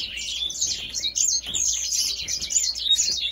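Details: Grey singing finch from Africa giving a dense, nonstop high warble of chattering notes, thin whistled slurs and fast buzzy trills, loud throughout the short phrase.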